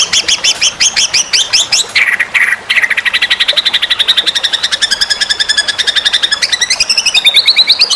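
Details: White-rumped shama singing for contest training: quick rising-falling whistled notes give way to a long buzzy, rapidly pulsed series that shifts pitch upward near the end, with faint background hiss.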